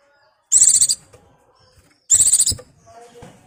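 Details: A white-eye in breeding condition, calling to a mate, delivers two loud, high, rapidly pulsed trills about one and a half seconds apart, followed by soft low chatter.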